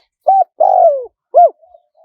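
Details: Spotted dove in the high-voiced, wild-style cooing, played back to lure wild doves in fast: a short coo, a longer wavering coo that slides downward, then a brief arched note, all mid-pitched and clean against silence.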